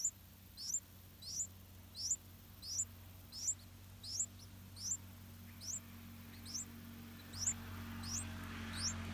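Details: Yellow-vented bulbul chicks in a nest hidden in an areca palm, begging as parents bring large insects. High, thin upswept squeaks repeat steadily, about one every 0.7 seconds, and fade slightly toward the end over a low background hum.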